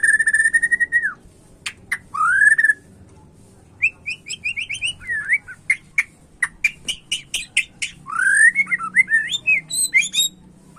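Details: White-rumped shama in varied song, long clear whistles and upslurred notes mixed with quick sharp ticks and chattering bursts, over a steady low background hum.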